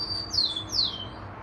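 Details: Rufous-collared sparrow song ending: a held high whistle, then two loud slurred notes sweeping steeply downward, each about a quarter second long.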